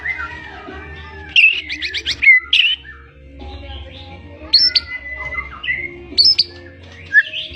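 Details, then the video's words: Blorok White-rumped shama with chattering fills: a quick series of high repeated notes, then sparse sharp upward whistles and a long level whistle between pauses, over a low background hum. "CEK SOUND-MURAI BATU BLOROK GACOR NGECES ISIAN"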